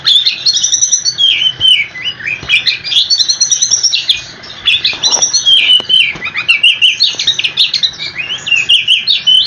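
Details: Long rolling song of an oriental magpie-robin, aimed at triggering answers from other magpie-robins: high, squeaky whistles and rapid twittering in pulsing phrases, with one brief quieter lull around four seconds.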